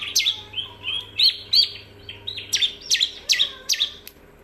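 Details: Bar-winged prinia song meant as a master recording for other birds, mixing soft slurred whistles with loud sharp downward chips repeated in quick pairs, over a low background hum.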